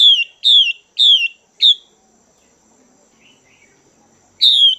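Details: Female Chinese hwamei kept in a cage, calling to excite males: four clear falling whistled notes in quick series, a faint soft note during a long gap, then one more strong downslurred whistle.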